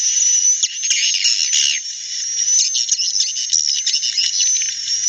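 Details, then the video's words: Edible-nest swiftlets, described as making their genuine, not noisy sound that brings many to roost: a shrill, tightly packed chatter of high chirps with a few louder, rougher bursts early on, continuing without pause. "Suara Asli Walet || suaranya ngak berisik pasti waletnya banyak nginap"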